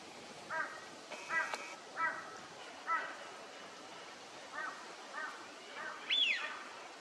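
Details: Eurasian wigeon wintering at Junsai-ike park pond, Chiba, Japan, in February 2025, give short, clear whistles, about eight in seven seconds, ending in a higher, rising-and-falling whee-oo; a faint background hiss runs throughout.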